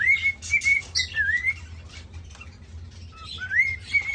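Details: Whistling male cockatiel courts a caged female with a run of flat whistled notes, a dipping slur, a short low note and an upward-swooping whistle, backed by airy hissing sounds.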